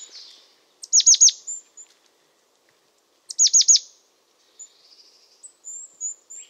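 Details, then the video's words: Crested tit giving two short bursts of three high, thin, sharply descending notes about two and a half seconds apart, followed by faint high twittering and a few brief whistled notes; no other noise. "Canto do Chapim-de-poupa/Chapim-de-crista (Lophophanes cristatus)"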